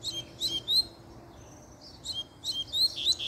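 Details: Double-collared seedeater singing after a female showed up: crisp, high chips and short upward whistles in quick clusters, a brief quiet gap, then more rapid twittering phrases.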